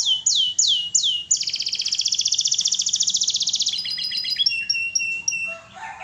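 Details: Canary in full gacor song: four sharp down-swept whistles, then a long rapid metallic trill lasting over two seconds, followed by stuttered chirps and a brief lower warble.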